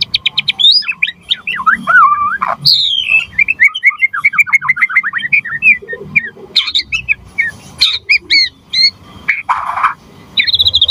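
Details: White-rumped shama singing to trigger song in other birds, a long varied sequence of whistled sweeps, fast repeated notes and harsh bursts, with brief gaps and scratchy sounds.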